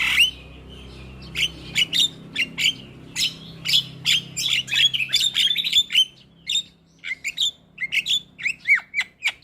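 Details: Energetic song of a Javan myna (jalak kebo), meant to coax a lazy bird to sing: a long run of sharp, harsh chips and squeaky notes repeated quickly, with a faint low hum beneath.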